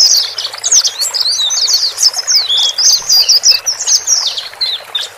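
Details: Male and female white-eyes calling, for settling a newly purchased bird into its own cage: busy, high-pitched twitters and short downslurred chips, dense and overlapping, nearly nonstop for five seconds.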